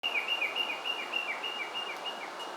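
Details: Japanese Leaf Warbler (Phylloscopus xanthodryas) at Oze, Japan, mid-August, approaching people in the evening, sings a fast, rhythmic string of short, dry notes repeated several times per second over a steady hiss of wind or water.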